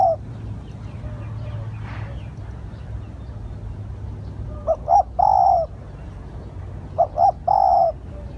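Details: Spotted dove used as a lure to attract wild doves. After a quiet start, two cooing phrases arrive about two seconds apart, each a pair of short soft notes followed by a longer slurred coo. Faint background noise throughout.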